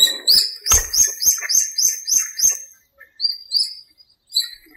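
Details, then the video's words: Birds singing at dawn in a small park during breeding season and the rainy season: a rapid series of bright, upslurred whistled notes, about seven in quick succession, then a short pause and two more similar notes, with a sharp click near the start. "공원의 새소리"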